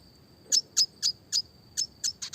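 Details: Red siskin giving clear classic chirps: evenly spaced sharp high chip notes about four per second, quickening at the end, with a steady faint high whine behind.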